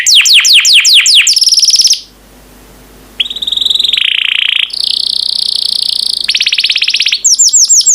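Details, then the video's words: Yellow canary singing: rapid runs of repeated descending trill notes, a short pause, then long buzzy sustained rolls at high pitch and a final fast trill. "Burung Kenari Kuning yang Cantik || Suara Merdu"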